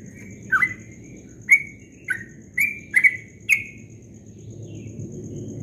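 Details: Yellow-vented bulbul singing the fast 'ropel' style at dawn, called very melodious: six short warbled notes spaced irregularly over three seconds, the last ones higher and brighter, then quiet with a low background rumble.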